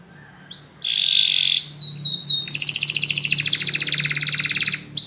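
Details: Several canaries singing in response to music: an upward whistle leading into a flat sustained buzzy trill, three quick down-slurred chips, then a long fast double-pitched rolling trill and a closing rising note.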